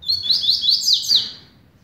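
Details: Double-collared seedeater starting its song: a rapid run of loud, high, ringing whistled notes, each sharply slurred, packed into about one and a half seconds, then silence.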